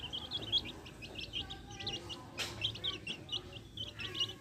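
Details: Chicks among backyard hens give a dense run of thin, high peeps, rapid and overlapping, with one brief sharp knock midway and low background hum.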